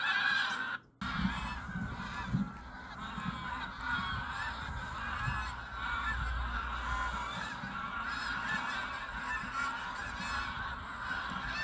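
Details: Mixed goose flock taking to wing at dawn over Burnham Norton marshes, Norfolk, 10 September 2022, phone-recorded: brief dropout, then sustained layered honking from countless birds above steady low background noise.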